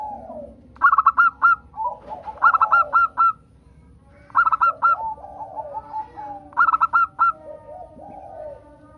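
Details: A local zebra dove delivers its song as a prompt for other doves: four rhythmic phrases of about five clipped, bright notes, with softer, lower murmuring notes in between.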